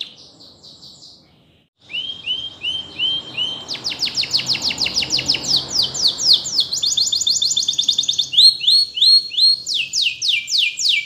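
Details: After a faint start and a short pause, a canary breaks into a training song of rising looped whistles, then long rapid rolls of repeated high notes, shifting between tours.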